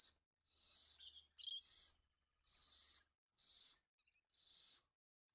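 A cockatoo gives harsh, raspy screeches, about six half-second bursts, roughly one each second, with nothing else heard.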